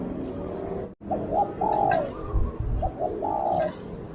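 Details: Spotted dove acting as a lure for wild doves, cooing two short notes then a long sliding coo, repeated twice, with low background noise and light clicks.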